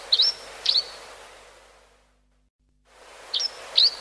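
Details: Two high, clipped chirps of a grey-hooded sierra finch, a short silent gap, then two more matching notes, each a quick upward flick.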